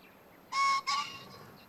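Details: A green pheasant in rural farmland at Hofu, Yamaguchi, Japan, on an afternoon of 30 April 2019, gives two loud, harsh back-to-back notes, a grating double crow, over a quiet background; it called twice about three minutes apart.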